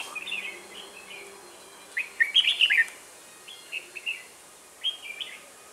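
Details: Red-whiskered bulbul during decoy trapping in Vietnam on 1 October 2018; bright whistled phrases, a loud rolling warble in the middle, then two short paired whistles spaced about a second apart.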